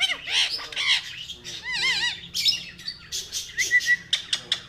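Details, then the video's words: Pet talking rose-ringed (ringneck) parakeet, friendly, gives harsh squawks and wavering, warbled talking notes, with sharp clicks and chirps in quick succession. "My Beautiful Talking Ringneck Parrot... Batein Karny Wala Totta"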